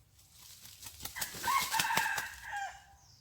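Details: Red junglefowl used as a decoy in a morning junglefowl contest on 27 January 2021, after recovering from a near-fatal fight with a wild bird. A hoarse, drawn-out crow rises and fades, broken by sharp snapping clicks.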